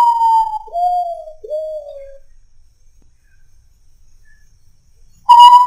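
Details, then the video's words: Common Potoo (urutau) singing at midnight: a long, clear whistle falling away into two shorter, lower mournful notes, then silence before the next phrase begins. "SOUND OF URUTAU AT MID NIGHT"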